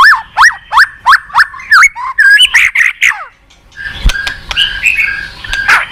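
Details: White-rumped shama lure song for a bird that is slow to sing: a row of clear looping whistled notes about every third of a second, then rougher varied phrases, a brief pause and scratchy chattering.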